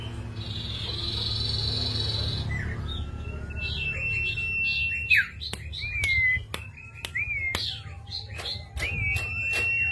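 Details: Common iora song used as a lure to make other caged birds sing: clear whistled notes and slurred rising and falling phrases with sharp clicks, over steady low hum and a buzzy tone at the start.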